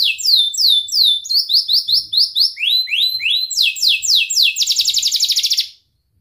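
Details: Canary song used to encourage silent or young canaries: varied phrases of falling whistles and chirps, speeding into a rapid rattling trill before stopping abruptly.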